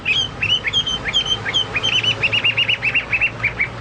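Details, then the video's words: Chinese hwamei singing vigorously, said to resemble cucak Papua or cucak mas. Clear whistled notes are followed by a fast, even string of about a dozen short, chopped repeated notes. "burung hoa mi seperti cucak Papua atau cucak mas gacor"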